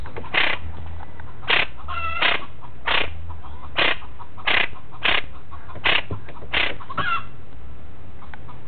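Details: A chachalaca at Villa González, southern Tamaulipas, Mexico, apparently lost and searching for its nest, gives about ten harsh, raspy calls, roughly one a second, some with a squeaky, tonal edge, over a steady low rumble.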